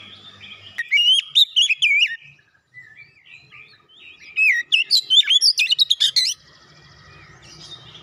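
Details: Oriental magpie-robin (kacer) singing a lure song to get a silent bird going: two bursts of rapid, varied whistled and chattering phrases, loud and sharply modulated, separated by a quiet pause.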